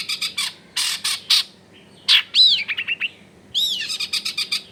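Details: Long-tailed shrike song recorded at a house in a busy residential area for masteran use: rasping buzzy bursts alternating with rising-falling whistled slurs and quick sharp chips.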